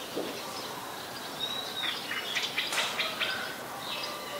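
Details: Female house sparrow, a very common resident, recorded in Ubon Ratchathani, Thailand, on 5 February 2020: a quick burst of sharp, broadband chirps near the middle, set against a busy chorus of other birds' thin whistles and twitters.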